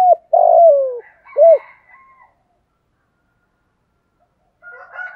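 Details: Decoy spotted dove in the 'thổ pha' voice style, calling and urging a fight: a long falling coo and a short arched coo, then fainter higher warbled sounds, a pause, and a separate higher chattering sound at the end.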